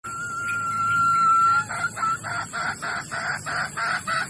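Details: Female Sumatran red junglefowl in heat, recorded as a lure to call males: one long steady harmonic note, then a quick run of short clucking notes about four per second, over a faint low background hum.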